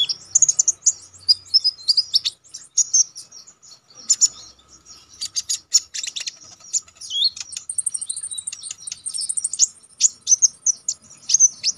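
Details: Konin, the Orange-headed Thrush, in a continuous high-pitched medley of sharp notes for song-contest training: fast chattering trills, slurred whistles and buzzy bursts running without a break.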